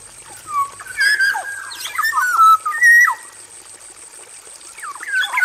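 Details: Male black-naped oriole singing in an aviary: lilting whistled notes that bend and drop, mixed with some harsher scratchy sounds, gathered in the first half and fading to quieter notes; persistent high hiss.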